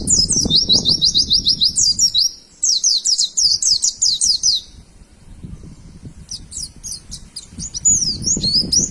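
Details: Pet white-eye singing to teach other caged birds: two runs of rapid high zigzag trills separated by a brief break, then scattered chirps and a closing warbled phrase, over low background rumble.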